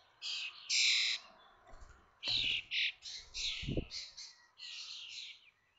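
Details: Common starling nestlings in a connected nest box at Théding, 19 May 2024, 21 days after hatching, on fledging day: harsh, hissing rasping bursts in quick series, with a few low thumps and knocks.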